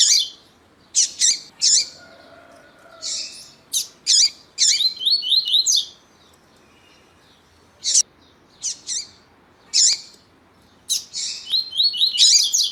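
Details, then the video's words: Double-collared seedeater (Sporophila caerulescens), male and calling female, used to excite a male for song contests: bursts of high, sharp chirps and quick buzzy trilled phrases in spaced clusters, with quiet gaps between. "COLEIRO TUÍ-TUÍ E FÊMEA CHAMANDO PARA ESQUENTAR COLEIRO TUÍ-TUÍ"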